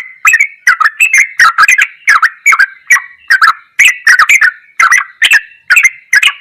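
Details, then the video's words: Sooty-headed bulbul song in the goklikan ropelan style, used as a tutor recording: rapid, chattering run of short, sharp notes repeated about every half second, each with a bright upper click, continuing without pause. "MASTERAN TRUCUKAN TERBAIK || ROPELAN GOKLIKAN TOP"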